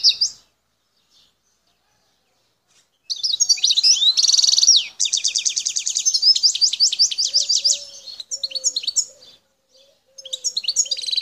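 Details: Wild goldfinch of the Algerian El Tarf area: a short burst, a pause, then a loud, rapid stream of high trills and scratchy notes, with a faint low hum, another pause and a final trill.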